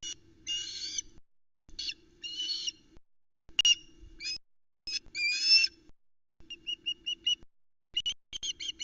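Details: Young Osprey sisters waiting for supper at the Loch Arkaig nest, recorded by nest camera around 20:00 on 11 August 2019, calling in protest at a tiny fish: raspy pulsed bursts, rising whistled squeals and rapid clipped notes, with a low hum underneath.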